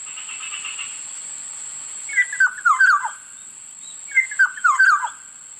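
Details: Black-naped oriole repeating its call twice, two seconds apart: each a rapid series of bright, liquid whistles falling from higher to lower, over a faint steady high-pitched hum.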